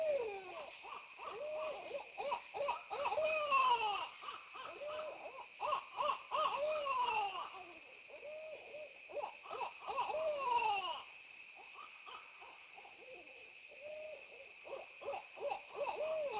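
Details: Several owls caught on a security camera, chatting to one another, trade wavering, whining calls that rise and fall, answering each other rapidly over a steady hiss.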